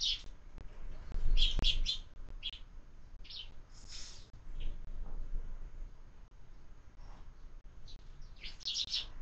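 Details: Sparrows at a window-mounted bird feeder during breakfast feeding, giving short high chirps in scattered bursts, a few notes close together then pauses, with a soft thump and faint low background rumble.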